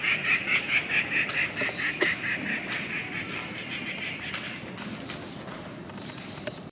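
A treepie gives a quick run of harsh, nasal chattering notes, several per second, that fade after a second and a half into a hissing background.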